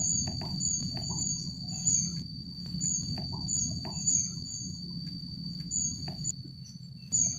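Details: At the Jatimulyo bird conservation village, a Rufous-backed kingfisher gives a run of shrill, piercing high notes in quick succession, pausing briefly midway, above a constant ringing tone and low ambient hum.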